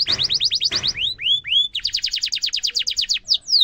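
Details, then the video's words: Canary song meant for coaching young canaries: quick falling chirps over faint rumble, a few slow rising whistles, then a long fast trill of repeated high notes and final descending notes. "kenari gacor cuit cuit ngerol tajam suara kesukaan semua kenari efektif buat masteran kenari muda"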